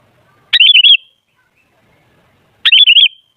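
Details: Sooty-headed bulbul singing as a lure for other bulbuls: two short liquid warbling phrases of quick wavering whistles, about two seconds apart.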